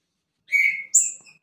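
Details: A female Green-winged Saltator, soliciting a male for mating near midnight in cold weather, gives a quick two-part call: a slightly buzzy whistled note, then a sharper, much higher note that fades. No other sounds are heard.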